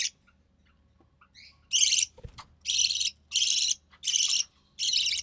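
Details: Budgerigar chick of recessive pied type, offspring of a white recessive pied male and albino red-eye female, during feeding by its mother: faint chirps and a click, then five loud harsh rasping bursts, each about half a second.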